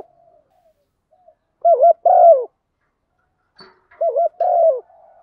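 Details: Spotted dove used as a decoy to call the flock, one-ending-note style. Two low cooing phrases, each a wavering double coo followed by a longer falling coo. A faint hum runs underneath, with a soft click between the phrases.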